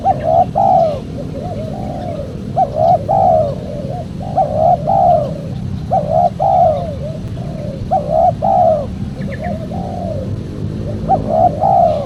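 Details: Spotted dove cooing recorded as a lure for trappers and lovers of dove song. Rhythmic phrases of two or three hoarse coos repeat roughly every one and a half seconds against steady low background noise.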